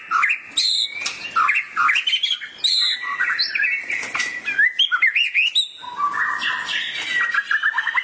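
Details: Excited gacor emosi singing from a white-rumped shama responding to a training recording; continuous warbled whistles rise and fall in quick slurred notes, broken by brief harsh squeaks and a short pause near the middle.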